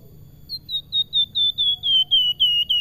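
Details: Salakan singing busily with melodious flute-like whistling: about eleven clear whistled notes in quick even succession, gently falling in pitch across the run, over faint low background hum.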